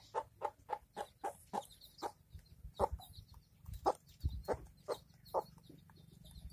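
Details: Village hen with chicks, short clucks repeated about every quarter second at first, then more irregular, over a low steady hum.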